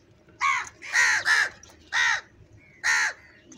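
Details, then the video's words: Crow cawing loudly while eating food: four harsh, nasal caws, the second a quick double, spaced about half a second to a second apart, over a low background hum. "Crow birds loudly crowing sound - کوے کی آوازیں , Crow Sound | Clear crystal Crow Eating food"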